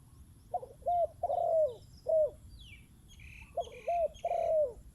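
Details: Spotted dove used as a decoy bird, with a wild dove coming down to it; low hoarse coos in three-part phrases, two phrase groups separated by a short pause, quiet background.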